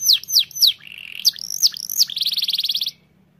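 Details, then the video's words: Singing canary in full, energetic voice: three sharp downswept notes, a short warble, more high swept notes, then a rapid rattling trill of about fifteen evenly spaced pulses that stops abruptly; quiet low hum underneath. "BUNYI BURUNG KENARI GACOR!!"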